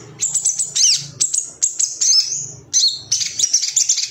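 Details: Agitated male Ruby-cheeked sunbird calling for a rival, from a recording meant to trigger singing in other birds: quick high chirps and a few sweeping, falling notes, ending in a dense, buzzy twitter.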